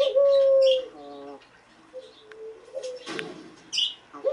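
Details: Collared dove, Eurasian species, opening with one loud sustained coo, followed by softer short coos, a brief rustling burst and scattered high bird chirps.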